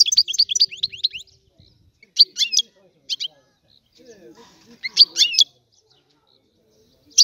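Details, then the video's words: European goldfinch singing, described as this season's best song, used for teaching young birds: bursts of rapid high twittering and tinkling notes separated by short pauses, with faint low rustling and murmuring in between. "تغريد الحسون, افضل غناء الطيور"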